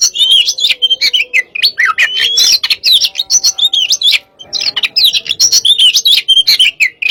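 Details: Hot-type white-rumped shama kept as a cage bird in Indonesia, pouring out dense, varied song: sharp zigzag whistles, chattering notes and trills, with a short pause midway.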